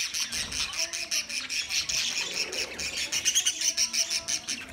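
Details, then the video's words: Chattering budgerigars, 13 March 2024: a steady wash of high twittering and short squeaky notes pulsing in quick bursts throughout. "Beautiful Australian Parrot sounds Budgie Sound"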